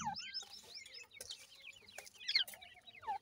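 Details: Several grey francolin chicks kept at home give thin, high chirps that rise and fall in quick overlapping bursts, with a few sharp clicks and thumps breaking in between.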